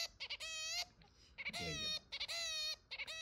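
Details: Pet zebra finch, about six months after being brought home, giving nasal, honking beeps in short bursts. Some are clipped and quick, others held nearly half a second. A faint low voice-like sound comes in midway.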